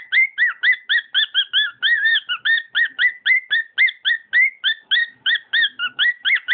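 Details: Singing pet cockatiel, with evenly spaced, bright whistled notes rising and curling, repeated roughly four times a second in an unbroken stream.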